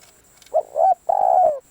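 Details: Spotted dove decoy calling. A short rising coo runs into a mellow second note, then after a brief gap comes a long, even, slightly vibrating coo that drops away at the end.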